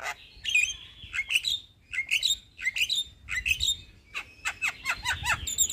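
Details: Lively male black-winged starling singing a rolling phrase of slurred whistles and sharp chattering notes, ending in a quick run of descending chirps.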